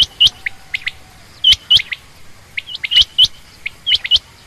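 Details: Female quail gives dense, repeating groups of bright, high chirps, each hooked upward, with fainter echoing notes in between and a soft drawn-out tone early on.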